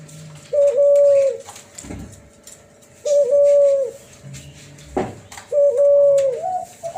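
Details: Hybrid dove called Cuhu Kelantan, crossed from Kelantan spotted dove and tangerine ringneck dove, cooing in a flute-like voice: level whistled notes ending in a slight upturn, repeated roughly every 2.5 seconds, with knocks and thumps in a small room.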